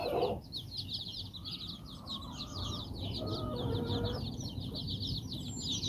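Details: Mother hen walking with her nine chicks in Bizkaia, Basque Country; constant high chick peeping with a lower, drawn-out murmuring hen call in the middle, over background rumble.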